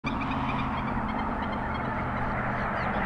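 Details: Common Gallinule at a roadside pond in Raceland, Louisiana, in a mating ritual, territorial dispute or male dominance display, gives a rapid, harsh stream of clucking, cackling notes without pause, over a steady low hum.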